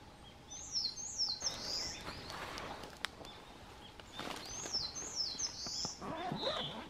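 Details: Narcissus flycatcher on wooded Mount Rokko, Japan, 21 May 2020. Two bouts of a quick, high, repeated whistled phrase, each of about four slurred notes, with rustling and clattering noises between them.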